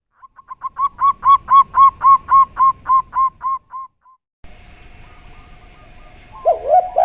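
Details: Zebra dove (perkutut) with a slow-voiced song: a run of about fourteen short, even cooing notes repeated quickly, swelling in loudness then fading, followed by a long faint steady tone and a brief higher burst near the end.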